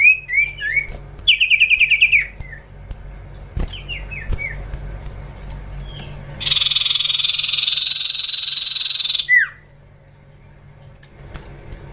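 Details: Whistled hooked notes from a young Common Iora (cipoh) in training come in quick clusters, then a loud buzzy pulsed trill holds for about three seconds and ends with a steep downward whistle.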